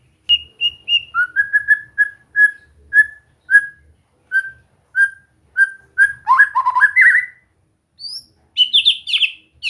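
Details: White-rumped shama trained to sing, giving a long run of evenly spaced short whistles roughly every half second, then a busy warbled burst and high sharp notes at the end.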